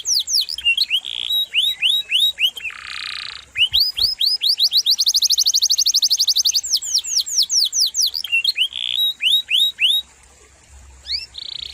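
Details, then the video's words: Canary singing a varied, sharp song. Bursts of sweeping notes are mixed with short buzzy blocks and a long rapid trill, followed by more arched whistles and a brief pause. "Masteran KENARI GACOR"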